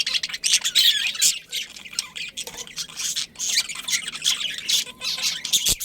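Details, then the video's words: Budgerigars in a breeding colony with a pair kept together: dense, overlapping chatter of rapid high chirps and scratchy squawks, rising and falling in bursts with brief gaps, no steady rhythm. "Cute Budgies Chirping Sounds"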